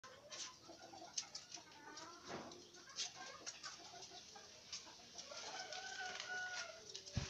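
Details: Green junglefowl being trained gives scattered short clucks and clicks, then drawn-out, slightly nasal tonal notes near the end, over a steady rustling background.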